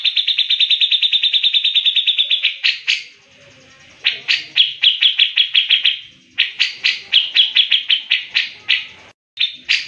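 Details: Grey-cheeked bulbul performing the fast, tight mbeset ngepik speed rapat song, recorded as training material for other birds. It opens with a long even trill of about twenty quick notes, then bursts of loud ringing, stuttering notes separated by short silences.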